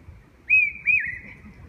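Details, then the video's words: Large hawk-cuckoo in Bhutan giving two loud, shrill whistled notes, the second sliding down at the end, over a faint low background rumble. "Large-hawk Cuckoo calling"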